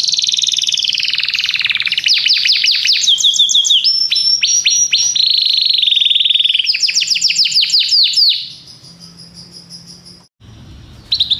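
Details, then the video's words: Belgian canary song with rapid rolling trills, repeated downward-sweeping notes and a steady high whistled stretch, ending in a quieter pause before a brief burst resumes. "canário belga cantando"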